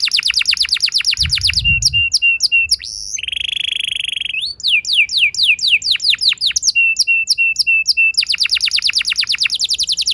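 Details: Canary song used as a lure to set other canaries singing long rolls: fast trills of sweeping chirps, a buzzy sustained roll, steady repeated mid-pitched notes, then more rapid descending trills; a brief low thump early on.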